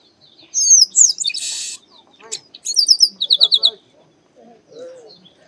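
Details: Chestnut-capped blackbird, or Garibaldi, also called Baia de Chiqueiro, in full song: looping whistles into a rasping buzz, then crisp chips and a fast string of repeated bright notes, ending with soft low calls.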